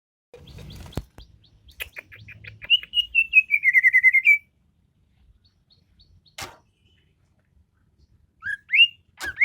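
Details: Greater green leafbird: a long run of rapid whistled notes sliding gently downward then rising again, later short upslurred whistles, with sharp clicks and faint low rustling between phrases.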